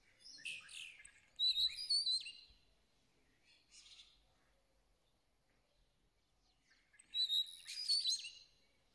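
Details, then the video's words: Moroccan starling giving two bursts of thin whistles and squeaky, warbled notes separated by several seconds of near silence. "طائر الزرزور المغربي"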